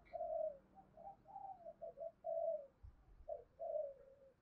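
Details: Spotted dove cooing to stimulate other doves, in the coo style called "gọi hai hậu": a series of low, soft, mellow coo phrases with short pauses, each note slightly wavering and falling. A faint low thump sounds near the middle.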